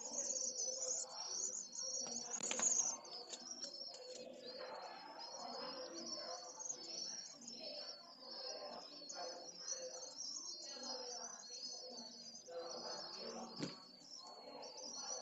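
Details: Pallid swifts recorded on 16 June 2022 keep up a near-continuous, high, buzzy trilling chatter that rises and falls in waves, over a soft low background murmur.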